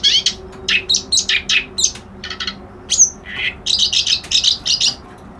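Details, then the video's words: Reed warbler song: a run of harsh, scratchy chattering notes, repeated in quick bursts, with one thin rising whistle near the middle and a faint low steady hum behind. "Suara Burung Kerak Basi Alis Putih"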